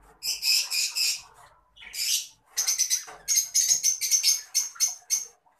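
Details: Adult green Fischer's lovebird calling in shrill, high-pitched chattering bursts, several rapid sputtering runs separated by brief pauses, in a quiet indoor setting.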